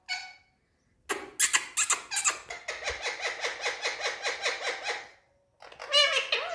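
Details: Captive Indian parrot talking indoors: harsh, speech-like squawks, then a long run of rhythmic, repeated nasal syllables lasting about four seconds, a short gap and a final loud burst.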